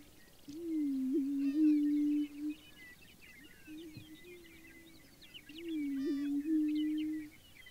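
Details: At dawn on a prairie lek in central South Dakota, prairie chickens boom as part of their yearly spring ritual. Two strong, low, mournful, hollow notes of about two seconds each, with a fainter one between them. Soft high calls scatter behind.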